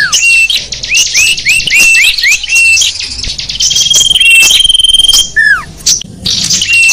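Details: Small birds singing to draw in wild small birds: repeated upslurred whistles early, a long steady thin whistle mid-way, a falling slur, then brief gaps and renewed twittering.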